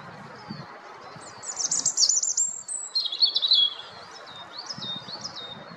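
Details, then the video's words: European robin singing a high, thin, rapidly varied phrase of sweet warbled and trilled notes for about two seconds, then softer scattered high notes trailing off, over a faint low rumble of background noise. "Un rouge-gorge"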